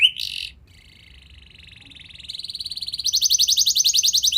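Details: Lure song of a canary for training young canaries. A burst of buzzy notes gives way to a thin, fast, even trill that grows louder and rises into a strong, rapid, rhythmic trill at the end.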